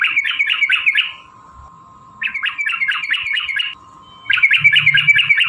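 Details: Yellow-vented bulbul delivering a long fighting ropel song meant to provoke rival bulbuls into answering: three rapid chattering bursts, each about a second or more, with brief gaps and a faint steady hum.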